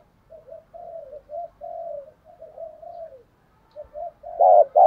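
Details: Spotted dove kept as a decoy to lure wild doves: a run of soft, rolling, low coos repeated quickly, ending with two sudden louder coos. Faint low background rumble.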